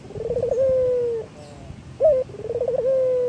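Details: Local male Barbary dove in full voice. A rolling, stuttering trill flows into a long smooth coo, then a short emphatic note starts the next rolling coo. The background is quiet apart from a low hum.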